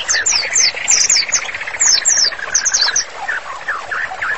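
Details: White-rumped shama in full, lively song, used as master audio for therapy: bursts of sharp, high descending notes over a steady wash of lower warbling, with brief gaps.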